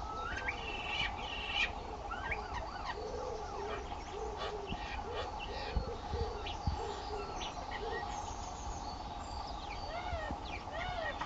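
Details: Two starlings on April 10th 2011, either fighting or mating: a busy mix of short whistled slurs, rising and falling notes and clicks over a steady low background hum.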